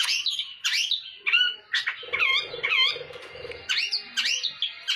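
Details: Captive long-tailed shrike, played to provoke other shrikes into singing, gives a harsh, varied song of rasping squawks and looping whistled notes, tumbling quickly between pitches, with a low buzzing hum underneath.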